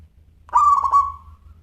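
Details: Local zebra dove in active song, its voice called crystal-clear, delivers a single soft cooing phrase of a few rapid beaded pulses drawn out into a long fading note, with a faint low hum behind.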